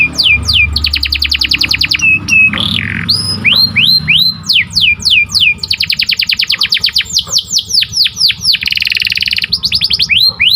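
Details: Canary in full morning song, delivering rapid rattling trills, downward-slurred whistles and buzzy rolled phrases in a continuous stream, over a low rumbling background.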